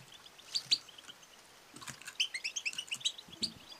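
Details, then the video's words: Calls of a female European goldfinch, 'batbata' and 'sestesa', intended to excite males into song and mating; a couple of sharp high notes, a pause, then a rapid twittering series of bright chirps. "بتبتة وستستة ونداء أنثى الحسون المميزة"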